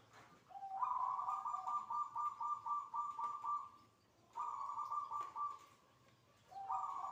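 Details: Zebra dove cooing in its manggung style, recorded near the midday call to prayer: two long bouts of rapid, bubbling, evenly pulsed coo notes, each starting with a lower note, separated by a short pause, then a third bout begins.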